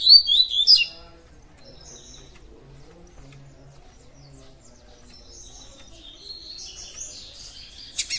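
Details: A double-collared seedeater (Sporophila caerulescens) opens with one loud, sharp burst of high whistled notes, then only faint scattered chirps follow over a low background hum.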